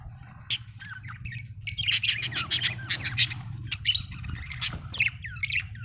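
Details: Budgerigar chirping in a rapid series of harsh, buzzy pulses, several per second, followed by scattered squeaky notes and short upward whistles over a low hum.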